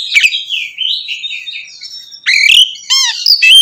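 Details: Oriental magpie-robin in loud ngeplong song used to provoke rival magpie-robins: a long wavering, slurred whistle drifting down then up, followed by harsh chirps and a stacked whistled phrase near the end.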